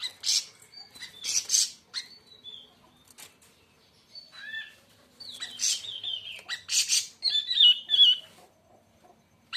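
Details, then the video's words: Siri siri raja song, a lively run of scratchy high bursts mixed with short descending whistles and twittering notes, busiest near the end. "kicau burung siri siri raja"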